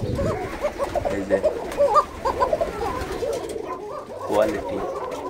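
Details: Koka pigeon, a domestic breed valued for its call, calling at a breeder's farm from a pair chosen for a buyer; soft, throaty, rolling coos repeat over a man's nearby talking in a small room.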